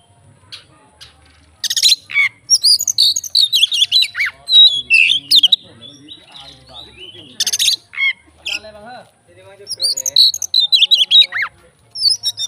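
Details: Fighter Oriental magpie-robin singing to stir up rival magpie-robins: bright whistled phrases mixed with harsh buzzy bursts and mimicked chatter, in irregular bouts separated by brief pauses.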